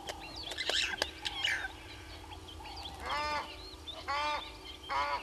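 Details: Egyptian goose at Gowrie dam waterhole, Djuma Game Reserve, Sabi Sand, South Africa, at 05:57, gives three harsh, honking calls about a second apart, each a strained wheezy blast, after a few scattered clicks and knocks.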